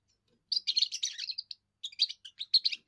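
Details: First song of a young European goldfinch, sung to claim territory and draw females: a dense half-second burst of liquid twittering and buzzy trills, then a short gap and a looser series of bright chirping notes.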